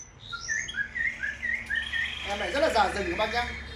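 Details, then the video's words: A tame caged silver-eared laughingthrush that sings all day and displays with wings and fanned tail gives a run of clear, slurred whistles, rising then falling, about three per second, ending in lower burbling; faint indoor hum. "Khướu bạc má vip múa cánh đuôi xòe, chim thuần sách lồng hót, hót cả ngày"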